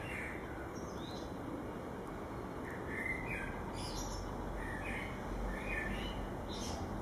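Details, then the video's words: Common blackbird singing in winter, in January: short, soft phrases of low fluty notes followed by thin, high squeaky twitters, spaced a second or so apart, over a steady rumble of background noise. "Merel zingt het hoogste lied"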